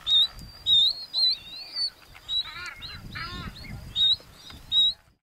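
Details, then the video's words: Galapagos mockingbird of subspecies bauri on Genovesa, Galapagos, Ecuador, recorded in May 2012, giving a varied song of clear whistled notes near high pitch mixed with harsh, chattering, harmonic phrases, repeated about every half second, with soft low background rumble. "Moqueur des Galapagos (Mimus parvulus bauri) Galapagos Mockingbird"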